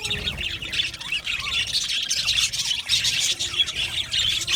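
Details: A crowded budgerigar aviary colony, with a constant wash of shrill overlapping squawks, chirps and chattering warbles from numerous birds.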